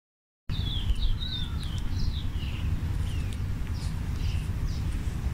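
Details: Scarlet-chested parrot, also known as splendid parrot, giving a quick series of high, thin chirps and short twittering notes, some sliding downward, over a steady low rumble of wind.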